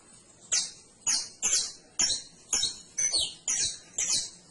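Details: Canary singing an even series of loud, high, downward-sweeping chirps, about two per second, steady and regular against a quiet background.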